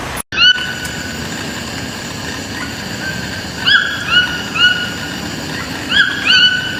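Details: Toucans on a farm giving clear rising yelps with layered harmonics, in short bursts of three notes each, spaced about half a second apart, after a sharp knock at the start.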